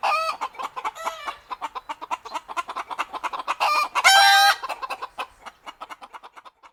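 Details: Chickens cackling continuously in a busy chorus of rapid clucks, with a few drawn-out squawks and one loud harsh call standing out midway before the clucking thins out.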